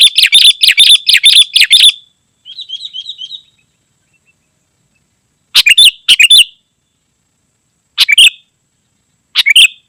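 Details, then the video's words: Sooty-headed bulbul, recorded for luring wild birds and training caged birds: a fast run of loud chirped notes, then a quick trilled phrase, silence, and separate harsh double bursts every one to two seconds. "Suara Burung KUTILANG GACOR Sangat Rapat"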